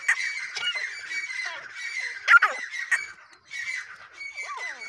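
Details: Female grey francolin, full size, producing continuous grating squawks with strong harmonics, with a short pause midway and a few curving, descending notes toward the end.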